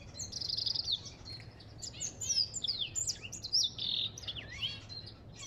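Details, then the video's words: African goldfinch song that opens with a sustained high buzzy note, then bursts into rapid twitters, rising and falling whistles and chattery trills. "اسمع صوت الحسون الافريقي"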